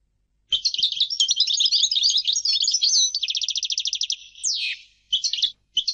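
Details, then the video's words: Singing European goldfinch delivering a tinkling, twittering phrase that turns into a quick rattling trill of evenly repeated notes, then a falling buzzy slur, with two brief twittered bursts after short pauses. "Goldfinch singing - canto del cardellino"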